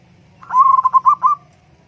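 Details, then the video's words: Zebra dove (perkutut) singing one brisk phrase: a sharp opening note followed by a run of pulsed, warbling coos at a level pitch, just under a second long, over faint low hum. "terapi Burung Perkutut Murung Dan Malas Bunyi"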